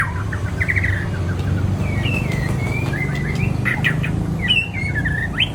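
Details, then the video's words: White-rumped shama of the Aceh type singing a string of short whistled and slurred notes, some rising sharply, against a loud steady low rumble of traffic. "Murai Aceh"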